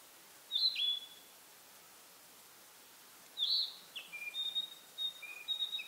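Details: Spring narcissus flycatcher singing from one spot on a pine branch in pine forest, seemingly asserting territory; brief high whistled notes, then a run of thin level whistles and short repeated phrases, soft background hiss throughout.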